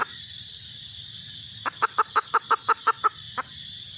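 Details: Calling for a mate, a red junglefowl hen gives a short burst of about nine quick, regular clucks after a quiet start, with low background rumble throughout.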